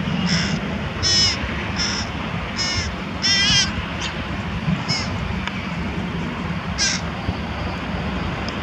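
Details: Carrion crow with prey while feeding young near Diemerbos, Netherlands, on 22 July 2020; a run of harsh, raspy caws, mostly single, some doubled, repeated about every second, over a steady low rumble of background noise.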